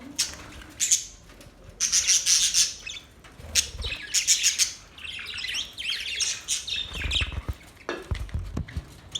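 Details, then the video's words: Budgerigar song described as a mating call: bursts of bright, buzzy chirps and squawky warbles, loud for a second or two and then pausing, with several notes sweeping high and a few low thumps underneath. "Budgies birds singing"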